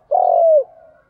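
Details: Spotted dove in the đồng pha voice style, cooing to draw other doves: a single long, smooth, low coo that holds steady and then slides downward at its end, followed by a faint trailing hum.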